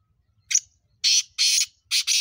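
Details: Harsh, grating call of a mountain black francolin, locally kala teetar: a brief clipped opening note, two drawn-out rasping notes close together, then a rapid final pair, against a soft low hum.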